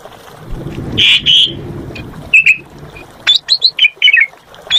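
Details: Asian pied starling in active song, opening with two strong whistles, then softer clipped notes and a quick run of short upslurred and downslurred whistles against low background rumble.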